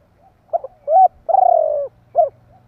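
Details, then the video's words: Spotted dove call meant to provoke other doves: choppy short notes, an arched coo, a long trembling coo falling in pitch, and a closing short coo, over a steady low electrical hum. "Chim Cu gáy gọi kích bổi / Tiếng cu gáy kích bổi Hiệu quả"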